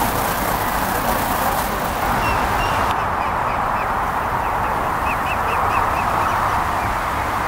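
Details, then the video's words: Mallards, with ducklings, in Wales in July 2024, make a dense, continuous chorus of overlapping nasal quacks and honks, with a few faint higher chirps on top. "Mallard Ducks"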